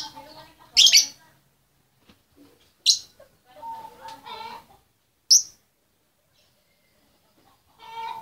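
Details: Female lovebird calling the male: three loud, shrill shrieks about two seconds apart, separated by softer chattering notes.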